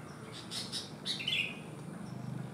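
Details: One-legged-abnormal sooty-headed bulbul still in full voice: a few loud chirps lead into one rolling, gurgled phrase, with a low steady hum in the background.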